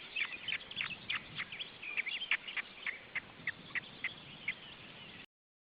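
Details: Osprey family at the nest in June 2012: a quick, uneven series of sharp, high whistled chirps, several per second, some louder than others, over a steady faint hiss.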